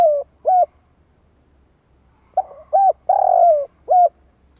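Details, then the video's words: Spotted dove cooing to draw in wild doves, with deep hollow notes: one short coo pair, a pause, then a full phrase of two brief coos and a long sustained coo ending on a short final note. "Tiếng chim cu gáy kích bổi nhanh nổi"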